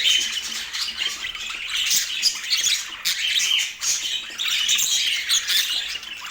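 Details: Portland budgies keeping up rapid chirping chatter, harsh squawks and bright tweets overlapping in waves, with a short quieter dip just before the four-second mark and another near the end.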